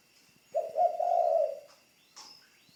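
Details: A training decoy spotted dove utters one low, husky, drawn-out coo of about a second, followed by a brief higher chirp from another bird.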